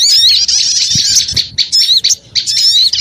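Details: Small birds in a noisy lure recording, a busy tangle of shrill chirps and wavering squeaks, almost continuous at first, then breaking into short bursts separated by brief gaps.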